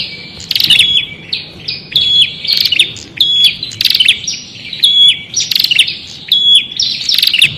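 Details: Repeated prinia phrases mixing sharp chirps, buzzy trills and brief clear whistles, coming in bursts roughly once a second.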